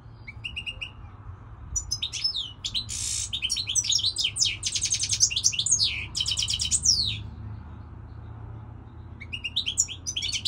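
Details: European goldfinch singing in a fast, jumbled stream of bright twittering, tinkling and buzzy high notes. A short phrase opens it, then several seconds of dense warbling, then a pause and a few more twitters near the end.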